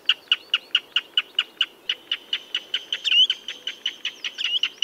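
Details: Common redshank uttering rapid, evenly paced sharp notes, with a brief upward-slurred whistle midway and a few louder, longer notes toward the end, over quiet background hiss.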